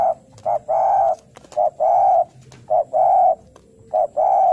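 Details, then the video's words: Spotted dove in full song gives four rounds of a short coo followed by a longer, rolling coo, one pair about every second, low and steady in pitch. "Derkuku gacor suara narung cari lawan"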